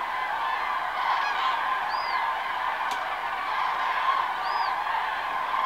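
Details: At daybreak, a flock of common cranes preening and grooming their feathers: a dense, steady chorus of honking, trumpeting calls from many birds at once, with a few higher, arching notes rising above the din.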